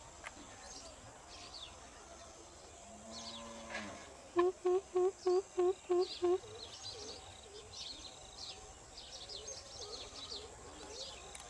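Greater coucal gives a run of seven deep, hollow 'coop' notes, evenly paced about three per second, with other small birds chirping in the background.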